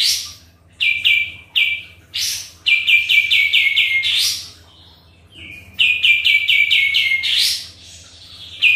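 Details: Lively sooty-headed bulbul song played as a lure for other birds: short clear whistles, then rapid runs of falling chip notes capped by upward sweeps, with a low steady hum underneath.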